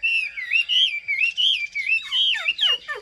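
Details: Chinese hwamei, a cage bird said to sing well and in full form: a smooth, continuous rolling whistle rising and falling, ending in quick steep downslurred notes.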